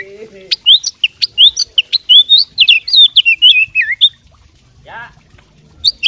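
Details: Fighting oriental magpie-robin singing its tutored, fill-in repertoire: a rapid run of sharp high whistles, slurred notes and clicks that ends with a falling warble, then a short buzzy descending note after a pause.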